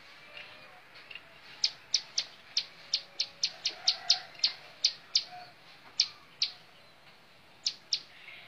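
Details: Bar-winged prinia (ciblek sawah) song: after a quiet start, a run of about fifteen crisp, high-pitched chips, then spaced pairs of chips with gaps between them.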